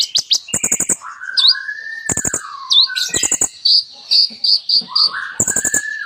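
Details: Busy Olive-backed Sunbird (kolibri ninja) song laced with mimicry: rattling tick series recur, high V-shaped whistles, a steady row of bright piping notes, and low drawn-out slurred whistles.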